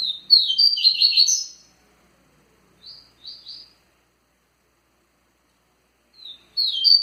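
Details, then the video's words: Double-collared seedeater performing the spirited Tui Tui song style: a loud burst of rapid, buzzy, tumbling notes, then a short quiet phrase, a long silence, and another energetic burst at the end. "seu coleiro Tui Tui muita fibra"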